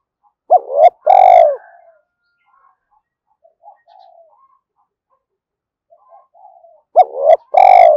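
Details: Spotted dove calling repeatedly to attract wild doves: a loud phrase of rising note and long flat coo, faint scattered soft notes, then the same loud phrase again about six seconds later.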